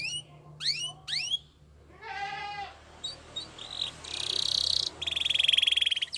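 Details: Belgian canary singing: three quick whistled notes sweeping downward, a short low buzzy pulsed phrase, then two fast, even, high rattling trills near the end.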